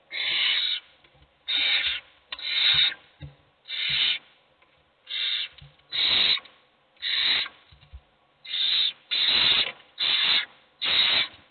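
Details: Several hungry owlets beg at once while only one is fed. Rough, breathy hisses come in a long run of about eleven bursts, roughly one per second, fairly steady in loudness.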